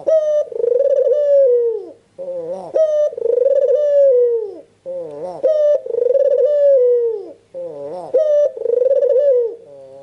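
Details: A white, red-eyed albino Barbary dove (puter) coos steadily in a small room: short clipped notes lead into long, rolling, slightly falling coos every few seconds. It is used as a lure to prompt other doves to coo.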